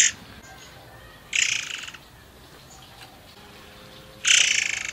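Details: Forktail (murai air), used as a lure to prompt other birds to sing: two loud broadband bursts of harsh, high notes around one and four seconds, separated by quiet background with faint thin whistles.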